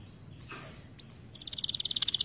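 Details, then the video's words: Canary singing on a training recording. It opens quietly with a soft background hiss and one faint upswept whistle, then bursts into a loud, fast, high rolling trill. "Melodies Canary bird song | Training video"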